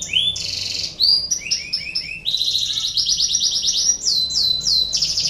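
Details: Breeding-condition canary song meant to set other canaries singing: varied phrases of whistled notes, quick chattering segments and high trills, with each phrase changing pattern every second or so.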